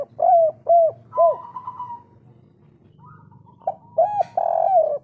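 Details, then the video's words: Spotted dove, local kuk 3 style, calling loudly to raise breeding drive in other doves. Three deep rounded coos are followed by a quavering trill, then a second run of hollow coo notes. "Derkuku kuk3 lokal gacor ngamuk dongkrak birahi - suara super besar"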